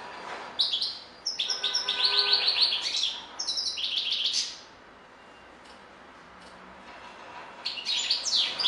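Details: Song of a European goldfinch: long runs of rapid, liquid twittering notes in quick succession, a quiet gap, then a fresh burst of bright chirps.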